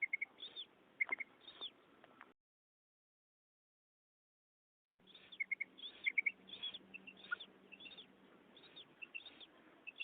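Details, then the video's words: Female common quail calling, a hunting call (madi ki kirak) used with nets to draw in males: rapid doubled chips alternating with soft breathy notes, repeated steadily, with a silent gap early on and a faint steady hum. "amazing female quail sound | مادی بٹیر کی زبردست آواز شکار کے لئے"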